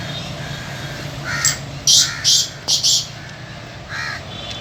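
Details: Black francolin, a kept bird offered for sale, gives a series of harsh, grating, buzzy bursts, about five notes in quick uneven succession, over steady low background hum.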